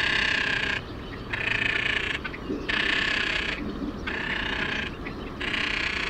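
Great crested grebe giving harsh, rasping, ratchet-like calls, five drawn-out bursts about a second apart over a low background rumble.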